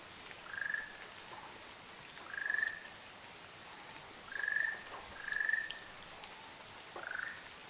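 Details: A pair of Ryukyu ruddy kingfishers on Amami Oshima, Japan, utters five purring trills: three level ones, a close pair, and then a lower, downward-bending final note. A soft drip-like patter is present.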